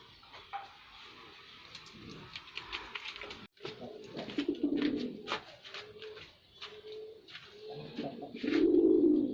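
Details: Male white pigeon in performance: soft murmuring at first, then rolling coos and short steady tonal notes, ending in a louder swelling coo, with scattered clicks and rustles.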